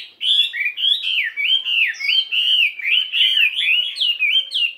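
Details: A 72-gram fighting Chinese hwamei's morning voice practice: a continuous stream of clear, rolling whistled phrases, each wavering up and down, delivered in quick succession with no gaps.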